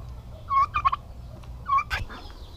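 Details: Two quick, rattling gobbles from aggressive male domestic turkeys housed together at a turkey-raising farm in Paraná, Brazil, separated by about a second of quieter farmyard hum.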